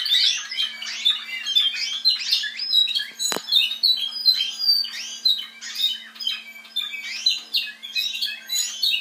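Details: Captive Spanish Timbrado canary from a team bred from offspring of a 2012 Andalusian champion, singing a continuous rolling metallic warble of fast trilled phrases, with one sharp click midway and a faint steady hum.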